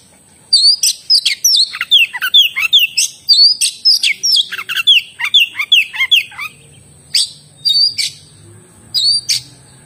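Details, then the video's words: Oriental magpie-robin delivering a rich song: rapid cascades of looping whistles and sharp downward-sweeping notes for several seconds, followed by spaced single loud chirps, with a thin constant high background tone. "suara burung kacer gacor"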